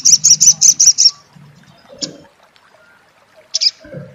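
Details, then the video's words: An olive-backed sunbird giving its crecet chatter: six rapid, very high, sharp notes in about one second, then a single sharp note near two seconds and a double note near three and a half seconds, with faint low rustling between. "suara crecet SOGON / sogok ontong!!"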